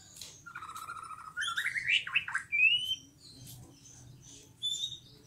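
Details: Greater green leafbird singing a varied phrase: a flat whistle, then rapid twisting notes that swoop up and down, a clear rising whistle, and a later high thin note; low background hum throughout.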